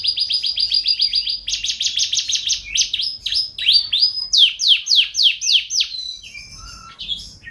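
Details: Canary singing, a champion bird offered as tutor song for caged birds at home: quick high trills of repeated notes shifting into slower falling whistled syllables, then a fading close.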